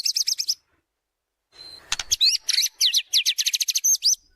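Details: Lure song of a white-rumped shama for training birds: a quick chirping phrase, a pause, then a sharp click and a fast run of rising and falling whistled notes.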